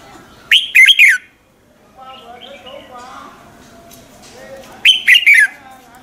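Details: Morning fighting song of a red-whiskered bulbul, used as a lure to train other bulbuls: two bright phrases of three or four slurred whistles, with a softer, lower warbling passage between them.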